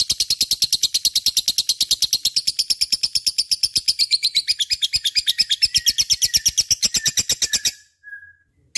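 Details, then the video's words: Lovebird in lively lure song: a long, fast run of high, buzzy chattering notes, nearly three a second, ending abruptly followed by a brief faint call. "Suara Burung Love bird gacor cocok untuk pancingan"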